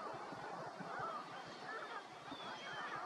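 Greater flamingos keep up a dense, goose-like babble of nasal honks and gabbling calls from many birds at once, over a steady wash of water.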